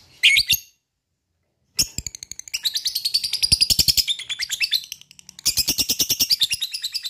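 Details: Lovebird 'ngekek' chatter used to rouse other lovebirds into song: one short shrill squeal, a pause, then long runs of fast high pulsed trilling with a brief break before a final burst.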